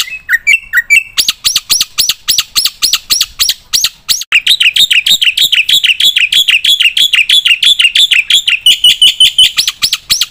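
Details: Caged black-winged myna in lively, full-repertoire song, used to prompt and tutor other birds. A short whistled phrase leads into rapid chattering notes, then a long dense stretch of quick, buzzy repeated chips without pause.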